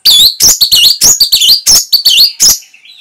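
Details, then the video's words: Orange-headed thrush training recording for caged birds: a loud, dense run of shrill, sharply clipped chirps and whistled notes in quick bursts, about ten phrases in under three seconds, ending in a faint trill. "ANIS MERAH PASTI MENGIKUTI KICAUAN MASTERAN INI"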